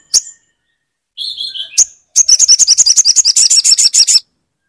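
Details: Crimson sunbird (sogon) song for rousing a silent bird: a sharp chip, a short lower buzzy phrase, another chip, then a long rapid high trill of quick repeated notes lasting about two seconds.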